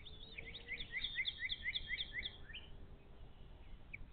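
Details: Bald eagles at a nest live cam in the Little Miami Conservancy, 11 April 2023. An adult feeds fish to the chicks while the eldest chick keeps the younger from eating. A quick series of high, sharp chirps runs for two seconds, then a lone call.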